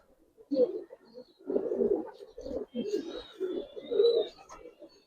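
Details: Budapest highflyer pigeons in a loft give a steady series of low, rolling coos, each phrase about half a second long, with brief quiet gaps.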